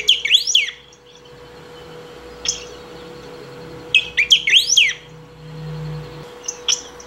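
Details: Saffron finch singing nonstop to call or train other birds: bursts of sharp, high swooping notes between 2 and 8k range, in quick clusters near the start and middle, with short single chirps between and a steady faint hum underneath.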